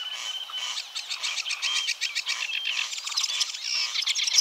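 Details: Barn Swallow (Hirundo rustica) singing a fast, continuous twittering chatter of high, bright notes mixed with buzzy rattles, running without pause for several seconds.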